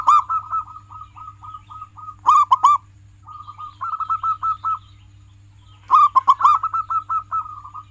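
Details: Zebra dove of a local strain in steady song, a long run of short, even, rolling notes broken by sudden loud arched coos, then more rapid note runs. Used as a training recording for pet doves.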